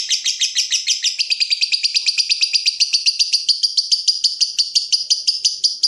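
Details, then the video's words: Lovebird calling to provoke a rival while in breeding mood: a sustained, fast series of high, harsh chattering notes, evenly pulsed and growing quicker and tighter midway, with no other sounds. "BURUNG LOVEBIRD MENCARI LAWAN || LB MANAPUN PASTI NYAUT BUNYI"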